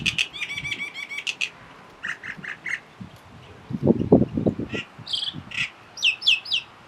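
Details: A Common Myna on Langkawi, Malaysia, near Kuah, strings together varied mimicked calls, one individual copying at least four species: fast buzzy chatter, short repeated notes, a harsh low burst, then bright whistled swoops.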